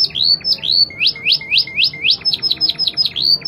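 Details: Clear-voiced Spanish Timbrado canary used as a training tutor, singing a run of rising whistled sweeps repeated rapidly, then trailing into quicker, fainter downward chips.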